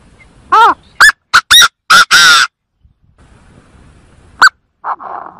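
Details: Lure call of the Chinese francolin, for bird trapping: a rapid, loud phrase of arched, harsh notes ending in a longer rasping note, followed by a lone sharp note and a short nasal sound.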